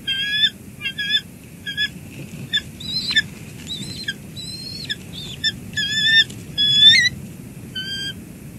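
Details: Bald eagles at the nest, with one adult bringing in a live flying fish, the other adult handling it, and a chick fed: high, squeaky chittering notes in irregular bursts over steady background noise.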